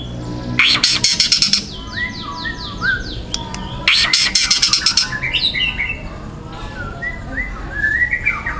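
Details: Loud, dense 'tembakan' singing from a young wild white-rumped shama in harsh 'kasaran' style: two grating, rattling bursts each followed by sweeping whistled notes, then softer twittering phrases.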